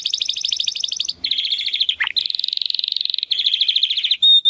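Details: Belgian canary delivering fast, continuous rolling trills with a brief sharp downward note in the middle, ending on a clear pure whistle.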